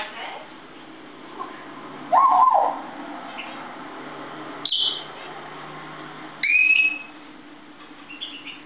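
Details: Morning energy from a cheerful African grey parrot on a kitchen table: two loud separate whistles, the first a wavering mid-pitched note, the second a high rising slur, with brief soft squeaks and room noise between.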